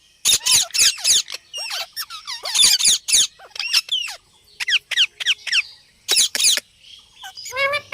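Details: Indian ring-necked parrot talking and making sounds indoors: a dense sequence of harsh screeches and squeaky, warbling chatter broken by short pauses, ending in rapid modulated notes.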